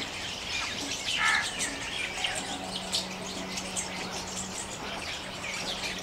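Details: Open-forest Jungle babbler flock in noisy mock fighting with neighbouring kin; one louder harsh squawk early on, then scattered scratchy chatter over a steady low hum.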